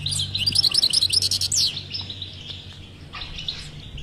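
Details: European goldfinch batbata song, played to stimulate a silent goldfinch: a loud, fast tinkling trill of about a second and a half, then softer scattered twitters, with a low hum beneath.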